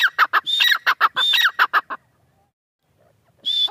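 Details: Teetar, or grey francolin, giving a quick burst of loud ringing call notes that stops abruptly, followed by near silence and the start of another high whistled phrase at the end.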